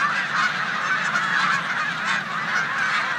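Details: Snow geese crowd a corn field alongside resident Canada geese in Savannah, New York, 14 March 2020, during a migration stopover. A continuous wall of many overlapping nasal honks fills the whole recording.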